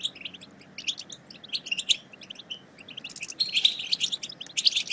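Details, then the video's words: Goldfinch chatter meant to prompt quiet goldfinches into song: scattered high tinkling chips in the first half, then a denser, louder run of twittering notes and trills toward the close. "بتبتة وستستة رهيبة في تحفيز الحسون على التغريد - فعالة مع الحسون الصامت"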